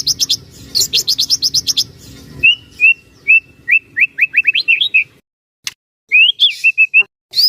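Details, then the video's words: White-rumped shama used to prompt other shamas to sing: dense high chattering notes, then a sequence of short even whistles, a pause, and more whistled notes. "burung murai batu gacor AMPUH buat PANCINGAN dan MASTERAN murai batu agar bunyi GACOR EMOSI"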